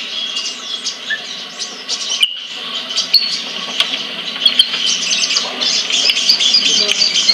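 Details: Caged sunbird in a collection in Kebagusan, Pemalang, Indonesia, uttering quick high chirps and ticks that grow into busy, excited twittering toward the end, over steady background hiss.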